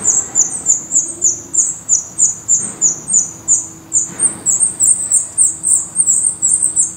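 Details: A Black Redstart at its nest in Portugal gives thin, very high notes in a steady run of about three per second, with a faint low hum and soft thuds behind.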